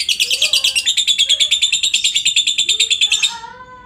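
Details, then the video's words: A lovebird's ngekek chatter as master audio for other lovebirds: evenly spaced, very fast, high, buzzy chirps that stop abruptly, followed by soft sliding whistles from other birds. "masteran burung Lovebird ngetik,ngekek cocok buat lb lain biar cepat gacor ,ngekek panjang"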